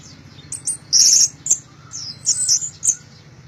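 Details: Orange-headed thrush singing strongly, giving short, very high, thin whistles and one buzzy sustained note, separated by brief pauses, against a faint low hum.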